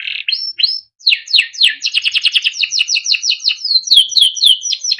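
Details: Timbrado canary song for training: a few rising whistles, then a long run of rapid, evenly repeated downslurred notes and rolling phrases, loud and clear.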